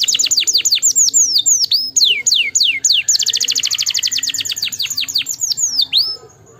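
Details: Canary song used to stimulate other canaries: fast repeated sweeping whistled notes falling from high to lower pitch, then a rapid trill of closely spaced notes, then slower swooping phrases, all very high and clear.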